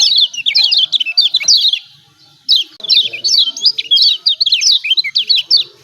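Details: Lombok kecial kuning white-eye, 'ciak ciak' lure calls for birds slow to sing: two long bouts of rapid, high, zigzagging chirps separated by a short quiet gap.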